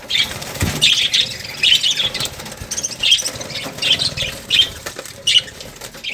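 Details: Shrill, squeaky lovebird calls repeat in irregular bursts about every half second, bright and high, with a brief low thump near the start.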